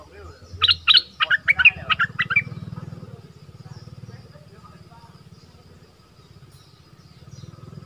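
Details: Bulbul in southern Thai style, used as a decoy bird: a quick run of sharp, bubbly chirping notes jumping up and down for about two seconds, then low rumbling background noise.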